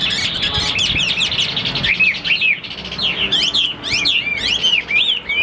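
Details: Caged Chinese hwamei kept for fighting and wing-spreading display, pouring out rich, varied whistles: quick rising and falling slurs, bright and loud, with brief gaps between bursts and a faint hum beneath.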